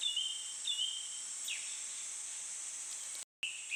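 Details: Thrush song in a sweltering satoyama landscape, heat above body temperature: brief falling whistles and a quick downslurred note, with a brief break in sound, all against constant shrill insect buzzing.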